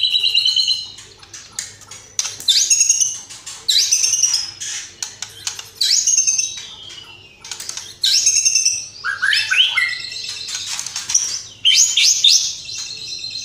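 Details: White-rumped shama singing a varied, richly filled song: loud bursts of high whistles, sharp rattling notes and mimicked phrases, separated by short gaps, with faint clicking background.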